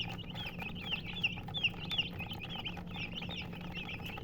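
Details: Hens chirping together: bright, squeaky, high peeps with fast pitch bends tumbling over one another, a few louder notes standing out near the middle, with a steady low electrical-sounding hum underneath.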